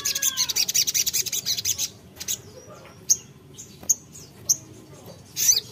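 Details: Sogok ontong (sogon) calling a rival: a fast run of thin, very high chirping notes for about two seconds, then scattered sharp high single chips with quiet pauses between.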